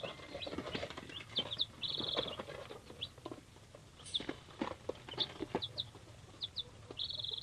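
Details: Young chicks, three days old, of mixed hatchery breeds: scattered high chirps plus a few longer, level shrill peeps, among rustling, pecking and tapping sounds.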